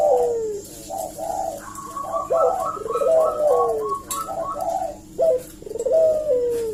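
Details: Eurasian collared dove lure call for provoking a response, with repeated deep falling coos overlapped by a second run of higher, evenly spaced short coo notes.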